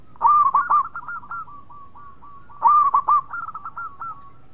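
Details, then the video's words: Two rich rolling phrases from a local zebra dove, each a loud first coo followed by a cascade of quick, slightly descending purring notes and a soft trailing trill. "Perkutut Lokal Gacor Suara Mewah"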